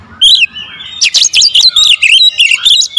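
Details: Oriental magpie-robin lure phrase, 'tembakan rapat' style: one clear rising whistle, then a loud rapid string of buzzy, warbled notes packed closely together.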